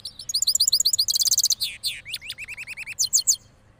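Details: A hybrid (cross) goldfinch, after moulting, sings rolling songs: a fast, tinkling twitter of high chirps and rolling trills, with rapid notes and a few quick downslurred phrases over a quiet background; Parachinar.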